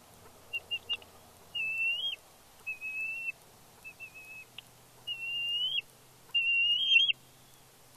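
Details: Fledgling bald eagle, a female, squealing with excitement as her father brings a fish to the Big Bear nest, 31 May 2022: long, level, piercing whistled squees, several rising slightly at the end, after a few quick short notes.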